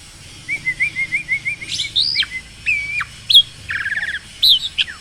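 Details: Black-winged starling in tutor song for lazy singers: a soft warbled run of rising notes, a few loud upslurred whistles and squeals, and a brief grating rattle between them.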